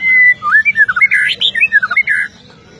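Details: Magpie-robin song with sharp, rich whistled phrases, a long steady opening note followed by quick rising and falling warbles delivered in a fast run before falling silent.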